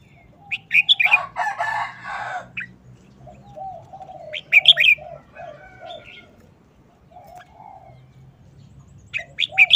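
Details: Red-whiskered bulbul singing a brief, quick wild-style song: bright whistled phrases of two or three notes, interrupted by a loud harsh burst and soft low clucking sounds nearby.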